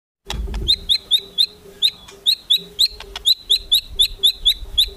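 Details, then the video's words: White-rumped shama kretekan meant to provoke rivals into singing: a sharp, even series of short high chirps, roughly three per second, over a steady low hum. "KRETEKAN MURAI BATU MEMANCING EMOSI, BIKIN LAWAN CEPAT GACOR EMOSI"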